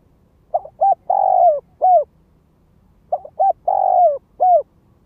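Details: Spotted dove lure calling in the gáy gọi, thúc, kích bổi style: two low, resonant cooing phrases, each of short clipped notes then a long held coo and a final drawn note, repeated about two seconds apart over quiet background.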